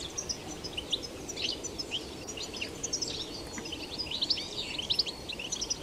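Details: European goldfinch in the wild, betbeta song: dense, continuous high tinkling twitters and quick chirps over broad outdoor noise.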